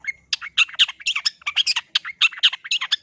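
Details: Cendet, the long-tailed shrike, in gacor song: a fast, chattering stream of harsh squawky bursts and short whistles, about two notes a second, irregular and loud throughout, with a faint low hum at the start.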